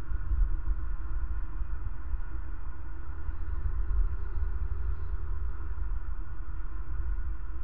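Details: Steady low rumble and hum, like distant traffic or wind, fill the whole stretch, with no animal sound heard.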